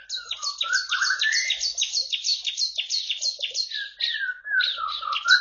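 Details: In an East Kalimantan aviary housing white-eyes and finches, a caged bar-winged prinia delivers 'tembakan' bursts, sharp high notes repeated several times a second without a break, overlaid by lower sliding whistles from another bird.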